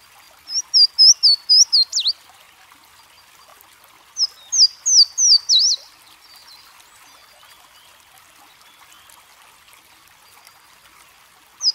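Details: Louisiana waterthrush, a bird of bubbling brooks and streams, singing loud clear whistled slurred notes in a series of about five, then a second similar burst, over steady murmuring water noise.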